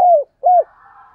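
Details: At first light, a decoy spotted dove gives two short, soft coos that dip slightly in pitch, separated by a brief gap. A faint, long drawn call trails off in the background.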